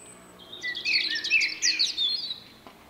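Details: Individual male common blackbird with an unusual song, March 2024, giving a dense, rapid twittering phrase of high squeaky notes lasting about one and a half seconds.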